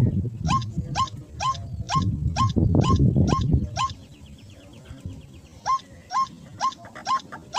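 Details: White-breasted waterhen in a rice field, drawn in by a lure call: short, sharp notes hooking upward, repeated roughly twice a second, with a low rumbling background through the first half and a brief pause before the calls resume.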